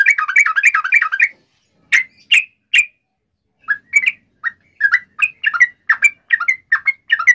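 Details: Sooty-headed bulbul in lively full song, used as a lure to make other bulbuls sing: a rapid burst of bubbly notes, a pause, then scattered clear whistled phrases dipping and rising around mid pitch.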